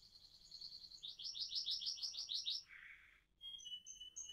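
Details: A faint AF canary rolling song heard at a distance over a low background hum: a high trill, then a lower buzzy roll, a short break, and thin separate whistles.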